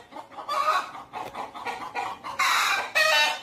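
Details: Several chickens at the Deokso Natural History Museum, kept alongside a white peafowl, cluck in short, uneven bursts that build to two loud, harsh squawks near the end.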